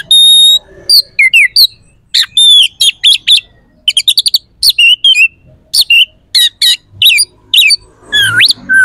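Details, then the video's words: Oriental magpie-robin delivering a rich, harsh and sharp song used to make rival birds respond and fight. Dense rapid chips and short pure whistles come in quick phrases, ending in a deep swooping upward whistle. "PANCINGAN KACER AUTO CEPAT RESPON/KACER JADI EMOSI SIAP TARUNG"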